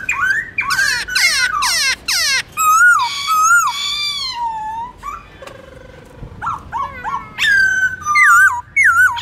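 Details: Morning forest-style song of a black-throated laughingthrush, shifting voices: rapid falling slurred notes, then loud wavering whistled phrases, a brief quieter pause, and bright sharp rising whistles near the end.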